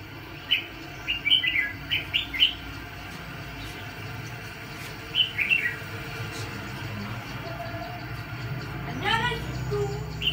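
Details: Red-whiskered bulbul serving as a decoy for trapping fighting birds sings quick clusters of bright whistled notes, then pauses. Later comes a downward-sweeping call and a steady low hum in the background.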